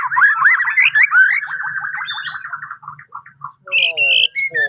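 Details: Bornean white-rumped shama morning song to prompt other birds: flowing run of loud fluty warbles fading into softer notes, then bright high whistles and a short descending trill.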